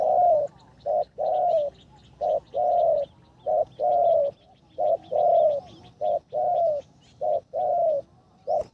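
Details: Spotted dove decoy bird on its third training session for ground decoying, giving a skilled call style: deep, hollow coos in short and long bursts, repeated about every second, with brief pauses between phrases.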